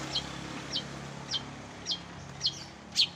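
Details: Bird heard in a training compilation for contest shrikes, giving thin high downslurred notes about twice a second, the last one louder, over light hum.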